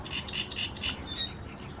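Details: Great reed warbler in Croatia: a brief run of four harsh, croaking notes repeated evenly about every quarter second, ending in a couple of higher, squeakier notes.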